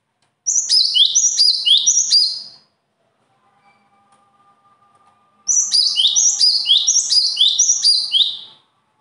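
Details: Two fast bursts of bird song, each about two to three seconds of bright, high, stepped notes falling in pitch and repeated in quick succession, separated by a near-silent pause.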